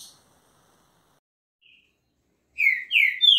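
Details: Green-winged saltator (trinca-ferro) singing: after a long silence, a short burst of three loud, slurred whistled notes closes the recording.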